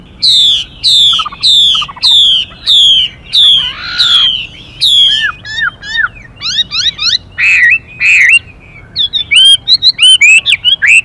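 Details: Hwamei male and female together: a series of harsh, descending raspy notes roughly every half second, then the male's varied slurred whistles and quick chattering phrases, the female's rapid calls urging on a newly caught bird.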